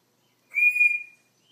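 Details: Pet African grey parrot, 14 years old, produces one clean, loud, level high whistle lasting about half a second, fading out smoothly in a quiet room.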